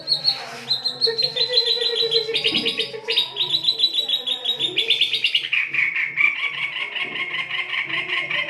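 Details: White-rumped shama song in the harsh 'kasar' style, used as a lure to stimulate other birds to sing: a rapid, unbroken run of bright chattering trills and repeated sharp notes, shifting from phrase to phrase and sliding lower near the end.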